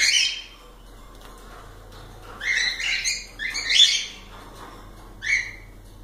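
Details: Cockatiels giving scattered bright chirps and short whistled calls in spaced groups, with quiet gaps between them.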